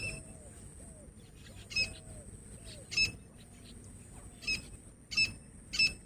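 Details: Calling female grey francolin, a hunting sound: short, high, clear piping notes in irregular bursts, five within six seconds, with a steady high electronic whine and soft low warbling in the background.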